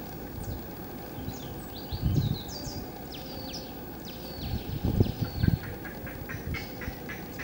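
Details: Mangrove Rail in Tumbes, Peru, gives a long series of short, dry, downslurred notes in quick succession, fairly faint over low rumbling wind or handling noise.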